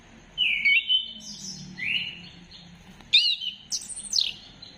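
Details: Orange-headed thrush (anis kembang) song to encourage singing, 15 December 2025. Separate sweet whistled phrases, some rising and some sliding down, are spaced by short pauses, with the last one sweeping steeply downward.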